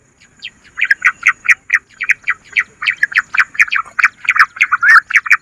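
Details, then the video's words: Bush quail lure call: a run of short, sharp chirping notes repeated about four times a second, fairly even in pitch, getting louder after a quiet start. "Bater ki awaaz madi gundari quilling sound bush Quil sound"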